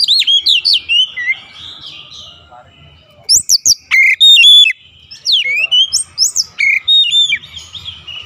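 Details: Oriental magpie-robin song used as daily training for a long rolling song: varied loud whistled phrases with rising and falling slurs and sharp chips, delivered in quick bursts separated by short pauses.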